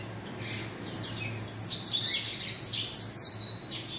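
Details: Double-collared seedeater kept by a domestic breeder, singing a fast run of high, sharp descending whistled notes over steady low hum.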